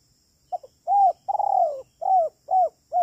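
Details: Spotted dove calling on a lure recording used for trapping, soft low cooing notes in a short series, one longer rolling coo followed by several evenly spaced hoots about half a second apart, otherwise quiet.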